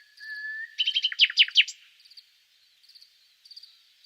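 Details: A nightingale sings a long, steady whistled note, then a burst of rich, rapid descending notes, followed by soft, repeated ticking phrases.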